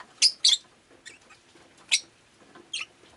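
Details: Pet rosy-faced lovebird indoors on a rainy day, giving short sharp high chirps in pairs and singles, with soft quieter chirps between and faint street noise behind.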